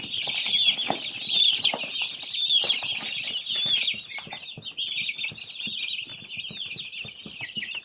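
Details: Chorus of baby chicks, countless thin high peeps overlapping continuously, some louder chirps standing out, accompanied by frequent soft taps and rustles.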